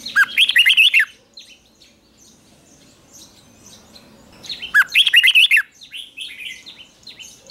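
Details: Morning training song of a red-whiskered bulbul: two bright, rapid bursts of warbling, whistled phrases about a second long, separated by a few seconds of softer, fainter chirps in the background.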